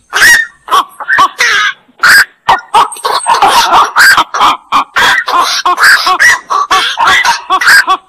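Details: Black-crowned night heron uttering a dense run of hoarse, barking croaks, steady fast bursts almost without pause, sounding like several birds calling together.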